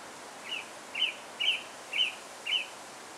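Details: Singing song thrush recorded in Alkmaar, Netherlands: one short, slightly buzzy chirped note repeated five times at roughly half-second intervals, with a steady noise floor.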